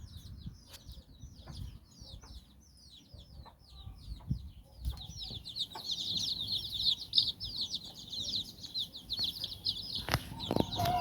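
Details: Nine chicks out exploring with their mother hen in Bizkaia, Basque Country, playing and learning; scattered high peeps swell into a loud, dense chorus of rapid cheeping, with clicks and rustles.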